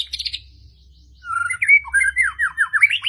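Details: White-rumped shama from Medan singing persistently: after a short buzzy burst, a fast run of sharp whistled notes that slide up and down, growing louder toward the end, with a faint low hum underneath.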